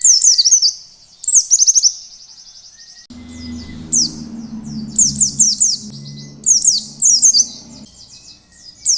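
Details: Oriental white-eye giving its wild 'ngalas' song as a trigger for other white-eyes: sharp, very high twittering bursts of slurred notes, a brief gap, then more phrases, with a low humming noise in the middle.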